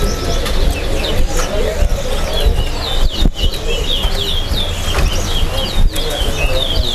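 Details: A Large-billed Seed-Finch (towa towa) sings in a bird-singing competition at Lusignan, Guyana: quick, high, slurred whistled notes in steady bursts over a loud rumble of crowd noise and chatter.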